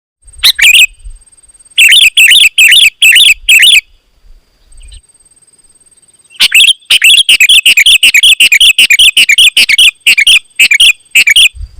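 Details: Lively, loud sooty-headed bulbul singing to provoke rival bulbuls into answering: bursts of rapid, bubbly chirped notes, a short pause, then a longer dense run of repeated chirps; a faint steady high tone runs underneath.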